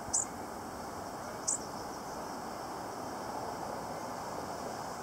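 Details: A lone bushtit at Gas Works Park gives two very high, thin, brief notes about a second and a half apart over a steady background rush of distant traffic.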